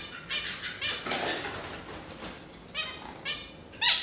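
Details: Zebra finch calls: nasal, harmonic beeps in small groups, the last one loudest, over a soft hissing background.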